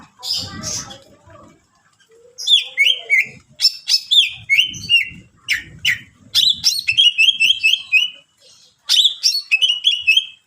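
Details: Greater green leafbird pouring out a varied song to goad other leafbirds, with repeated descending whistled notes, rapid chips and rolling trills, and low thumping or rustling underneath.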